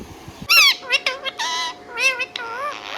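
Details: Pet Indian ringneck parakeet indoors giving a run of loud, wavering harmonic squawks and warbled whistles, several bent, undulating notes in quick succession with short gaps between them.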